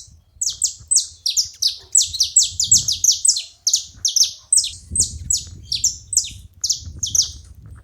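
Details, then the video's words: Several saffron finches calling together, a dense run of sharp, high descending chirps overlapping each other almost without pause, with a low rumble of background noise beneath. "Canarinhos da terra junto fazendo barulho"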